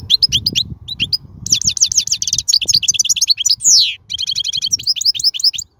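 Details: Wild European goldfinch song, played to teach young birds and to stimulate singing; rapid, tinkling twittered phrases and fast trills with a descending slurred note, over low rumbling background noise.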